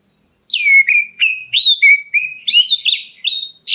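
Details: Black-breasted Oriental magpie-robin calling to provoke a response from other birds. A lively string of about nine short whistled phrases. Early notes swoop downward, and later ones rise higher and sound brighter, with hardly any pauses.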